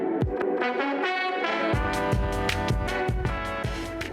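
Brass-heavy instrumental music with a steady beat plays throughout, and no animal voices can be heard.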